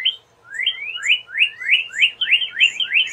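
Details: Northern cardinal repeating bright rising whistled slurs, about three a second, in an even, rolling series over a faint background hum.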